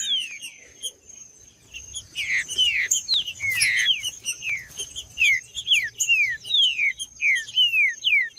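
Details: Caged green-winged saltator song played to fire up males into fighting mode: loud rapid series of descending slurred whistles, repeated about twice a second, with high thin notes and a steady high tone above.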